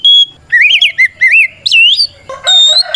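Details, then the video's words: Singing white-rumped shama, a fighting song used to lure rivals; a quick run of wavering whistled notes, a rising slur, then a harsh buzzy ending note. "Suara Burung kacer gacor NGEPLONG tarung ini paling ampuh buat PANCINGAN KACER agar EMOSI Nyaut"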